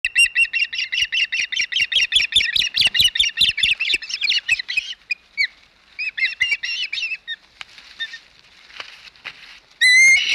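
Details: Osprey at a nest on Hog Island, 12 May 2021, squawking while eating a large flounder: rapid series of sharp whistled chirps, about two to three per second for five seconds, then softer scattered chirps and a loud final squeal.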